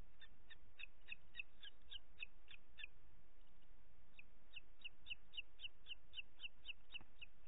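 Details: Booted eagle nest in the Ports Natural Park, Catalonia, evening of 25 June 2021, the mother feeding two chicks: two long bursts of rapid, high, squeaky chirps, roughly three per second, split by a brief pause, over steady hiss.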